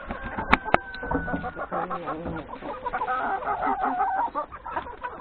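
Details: Hens and three roosters breakfasting in a yard before a forest grazing outing; loud flock clucking with a long gliding crow-like note, two sharp knocks early on and busy overlapping calls.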